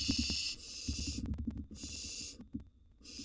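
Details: Barn owl nestlings, wild, in a nest box while prey is delivered and eaten: three drawn-out breathy screeches, steady and noisy, with soft knocks and rustling between them.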